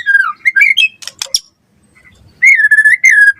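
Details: Gacor white-rumped shama song, played to lure and tutor other shamas: a falling whistle and brief warbles, a few sharp clicks, a short pause, then a level sustained whistled phrase with slight wavers.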